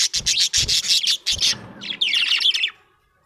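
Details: Happy budgie chirping, starting with a run of rapid raspy high notes with some low thumps, then shifting into a twittering warble of quick descending chirps before falling quiet.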